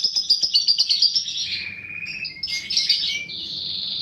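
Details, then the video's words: Paud balibu lovebird of fighter type recorded as a lure: quick run of sharp ticking chirps, about four per second, followed by buzzy trilled notes and a sustained high whine. "pancingan burung lovebird paud balibu fighter mp3"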